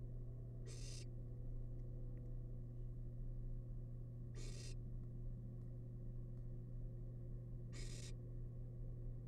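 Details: Wild barn owl chick in its nest box, devouring leftover rabbit, utters three brief breathy rasps spaced about three and a half seconds apart over an unbroken low electrical hum.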